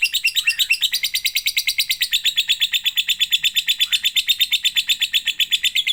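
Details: Lovebird song used as a lure to set other lovebirds singing: a fast, unbroken chattering trill of high, sharp notes, about three per second, steady and even, in a quiet room.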